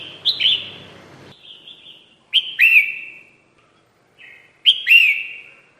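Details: Red-whiskered bulbul lure call for trapping: loud chirps with sudden onsets, each curving upward then sliding into a long slurred warble, repeated about every two seconds, with softer notes between.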